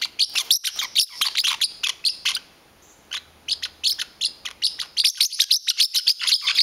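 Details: Pet parrotlet scolding as someone touches his blanket: sharp high chirps in rapid series, a quiet gap of about two seconds, then renewed fast bursts.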